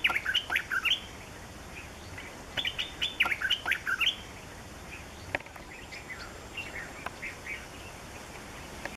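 Yellow-throated bulbul giving bursts of bubbly, chattering notes around two bursts in the first four seconds, then softer scattered chirps over faint background hiss.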